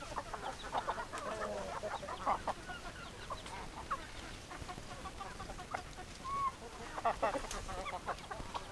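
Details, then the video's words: Chickens clucking, several hens heard together in a steady chatter of short murmured clucks with occasional brief higher notes over constant hiss. "Chicken Sounds Noises Hens Clucking Roosters Crowing"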